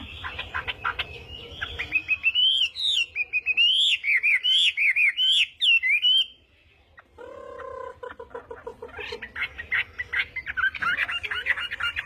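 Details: Chinese hwamei singing its morning practice song in a fighting-song style: loud looping whistled phrases rising and falling, repeated rapidly for four seconds. A short pause follows, then lower quick notes and varied chatter.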